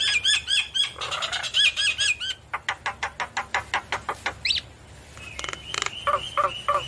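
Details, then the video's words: Lively Javan myna song, the bird nodding as it sings to stir quiet mynas into replying: looping high whistles, a run of evenly spaced sharp clicks, then ringing whistles and falling slurred notes. "Jalak kebo Gacor Manggut Manggut Memancing Emosi Jalak Kebo Malas Bunyi Langsung Nyaut"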